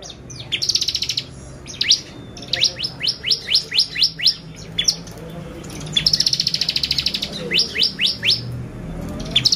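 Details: Bar-winged prinia in full song, used to provoke other birds: buzzy high trills followed by runs of crisp downslurred notes repeated about twice a second, then another trill and more slurs.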